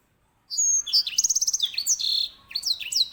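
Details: Grey singing finch (Serinus leucopygius), kept as a master bird for tutoring canaries, sings loudly: high whistled notes, a fast rattling trill of about eight pulses, buzzy slurred phrases and sharp descending whistles, on a quiet background.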